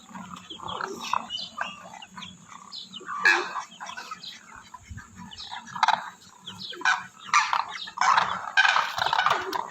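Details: Demoiselle crane, or koonj: irregular bursts of rough, croaking calls from several birds, overlapping and rising and falling in loudness, roughly two bursts a second, with a steady faint background hum.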